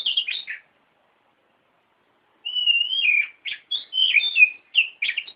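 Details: Shama (kacer) song for training other birds: a burst of rich warbled notes, a two-second pause, then a long clear whistle sliding downward and a run of varied twittering phrases.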